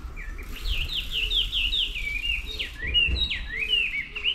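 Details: Songbird recorded in the morning on 11 May 2024: a fast string of high, sweet chirps and slurred whistles running almost without pause, over a low rumble of background noise.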